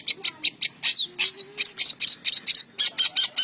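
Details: Morning song of a long-tailed shrike in Indonesia: rapid, scratchy high chirps mixed with brief whistled notes sliding downward, delivered in quick bursts of about four notes a second.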